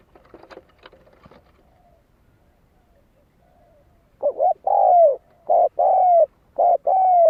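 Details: Spotted dove cooing as a lure call for decoy birds: faint clicks and rustles first, then a loud run of paired deep coos, short note then long smooth one, repeated about once a second.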